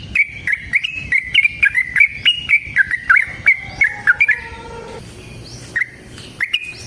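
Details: A long rapid bulbul trill from a yellow-vented bulbul, called 'ropel panjang' and used to provoke birds into answering. About four seconds of quick chattering notes, a short low tone, a pause, then scattered notes, with clicking noises.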